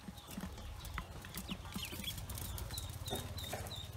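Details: Newly hatched Pekin ducklings on a farm give short high peeps in the last second and a half, under a steady low hum and scattered clicks.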